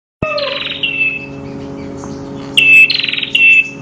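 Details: Prenjak kepala merah, a master recording in the 'kristal' (crystal) voice style: a loud buzzy rasping phrase sweeping high, then a clear sustained high whistle, repeated after a pause, over a faint steady low hum.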